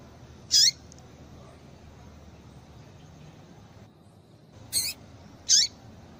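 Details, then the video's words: Female double-collared seedeater (papa-capim) calling to stir males into singing: three short, sharp, high chirps, each sliding downward, one early and two close together near the end, over a quiet hiss. "Piado de Fêmea de Papa capim Para Esquentar Papa capim"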